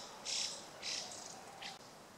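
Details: Chinese hwamei (Garrulax canorus) in suburban Hachioji, Japan, 14 April 2013, gives three or four short, harsh, high bursts about half a second apart over a faint steady hiss.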